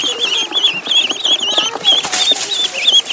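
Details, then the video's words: Duckling in a pond giving continuous high wavering peeps, overlapping and rising and falling, with splashing and rustling noise beneath. "Duck Sound duckling in the pond -duck quack"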